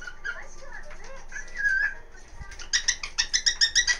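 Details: Pet cockatiel indoors in its daily early-afternoon routine around 1 pm: soft warbled whistles, then a rapid burst of harsh, sharp "kikiki" notes repeated about three or four times a second.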